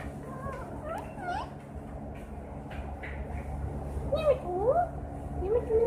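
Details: Green parrot that can whistle and miaow, making faint sliding notes early, then clearer swooping meow-like rises and falls toward the end, over steady low background hum.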